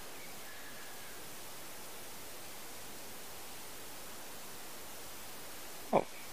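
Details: Steady low hiss and rustle with no animal voice, broken only by a single sharp knock near the end.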